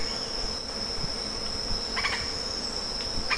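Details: Lettered aracari giving a few short scratchy notes near the end, two clear bursts about a second apart, set against a steady shrill insect drone.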